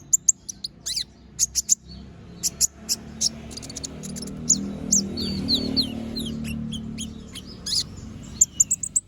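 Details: Sharp, very high chips and quick trills from an energetic little spiderhunter, including a short run of rising-falling squeaky notes midway, over a soft low rumbling background.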